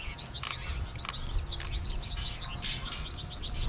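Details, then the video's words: Flock of American goldfinches in March, more birds calling overhead in the trees; rapid, overlapping high twittering chirps from many birds, continuous through the clip, over faint low rumble. "American Goldfinch flock"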